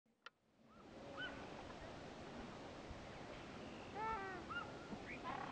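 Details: Black-winged stilts playing in the water of a wetland at Indore, Madhya Pradesh, give a few short, nasal, yelping calls, scattered and sometimes in quick pairs, over a steady rush of water and wind.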